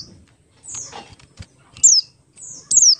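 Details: Buxtoni-type Oriental white-eye, used as a lure to get other white-eyes singing: two very high, thin notes sliding steeply downward, with soft rustling between them.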